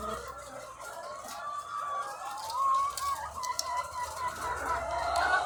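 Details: Egg-laying hens numbering in the thousands on a farm: a constant wash of overlapping clucking and wavering drawn-out calls, louder swells near the middle and end, over faint low machinery hum.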